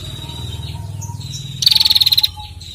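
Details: Trilling ngetirrr call from a female bar-winged prinia, used to make other birds sing: one quick, high, ticking burst of about a dozen pulses after soft whistles, over a steady low rumble.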